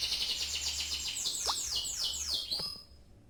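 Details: Canary singing a quick rolling trill of high descending notes that slows into longer slurs and fades out near the end.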